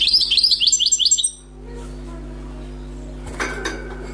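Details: Newly caught wild European goldfinch singing: a quick run of bright, high twittering notes lasting just over a second, then a silent pause and a soft knock.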